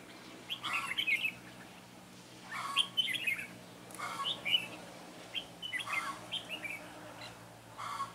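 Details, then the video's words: Mũ lân Red-whiskered bulbul from Ché, used as a trapping decoy on 9 June 2017, singing to attract wild birds. Bright, bubbly whistled phrases repeat roughly every one and a half seconds, each a quick tumbling cluster of notes. "Bẫy chào mào Mũ lân Ché nẹt mồi"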